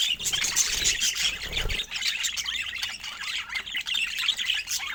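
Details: Pet budgies warble and chirp in a constant stream of high, scratchy notes, with a low thumping noise during the first two seconds.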